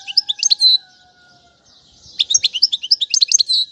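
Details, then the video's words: Goldfinch song played for teaching chicks. A short twittering phrase, then a quiet gap carrying a faint low drawn-out tone, then quick chirps and buzzy twitters resume energetically to the end. "أفضل تغريد الحسون"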